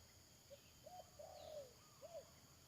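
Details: Spotted dove decoy calling during a bird-trapping session. Soft, muffled coos rise and fall in short notes, then form a longer drawn coo. A steady background hiss runs underneath.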